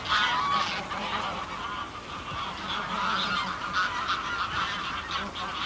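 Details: Small flock of greylag geese calling in flight, recorded close: a dense, continuous chorus of overlapping nasal honks with no pauses.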